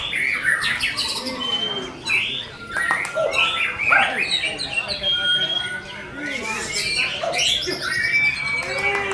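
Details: Varied gacor song of a white-rumped shama: high thin whistles, clicks and falling slurred notes, with short gaps between bursts of phrases.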